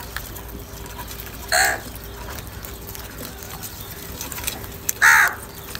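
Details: Crow in an outdoor setting, calling in anger or for food: two brief, harsh, widely spaced caws about three and a half seconds apart against steady background hiss.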